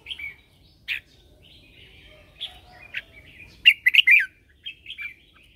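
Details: Red-whiskered bulbul lure bird in morning training, calling others: scattered short chirps followed by a loud rapid cluster of warbled notes and a few softer trailing phrases.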